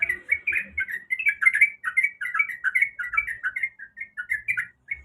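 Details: Female yellow-vented bulbul calling the male: bright, slurred chirps delivered in irregular quick bursts, with occasional soft low thumps in the background.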